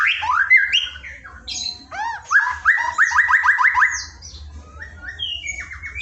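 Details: White-rumped shama song used as tutor material for training a shama that is reluctant to sing: varied whistled phrases, a fast run of repeated rising notes near the middle, then softer twittering, over a faint low hum.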